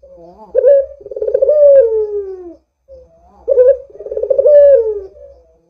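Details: Actively calling Barbary dove, recorded as a lure to prompt doves to call: two long coos about three seconds apart, each with a short lead-in note, a throbbing middle and a slowly falling drawn-out end.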